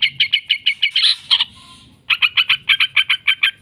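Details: Yellow-vented bulbul, long 'ngekek' chatter used to coax other bulbuls into singing: quick, sharp repeated notes, a short louder burst, then half a second of quiet before the rapid chatter resumes.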